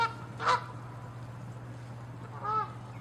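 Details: Canada geese fighting territorially; one loud harsh honk, then a pause of nearly two seconds, then a second longer wavering honk, over a steady low hum.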